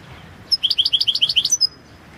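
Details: European goldfinch of the balcanica subspecies singing for a 2022 song championship entry: a crisp run of about ten rapid, evenly paced twittering notes, each a quick high chirp, finished with a thin whistled note, against near silence.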